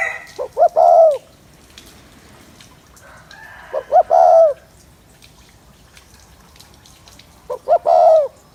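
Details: Spotted dove cooing to excite males: three phrases, each two short clipped notes followed by a drawn-out mellow coo that dips at the end, spaced roughly three and a half seconds apart over quiet background.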